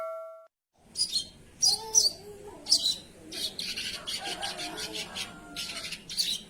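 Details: Sogon singing actively, a gacor bird: sharp, high, scratchy chirps in short bursts, some with thin whistled notes, repeated about every half second to second, with faint low background murmur.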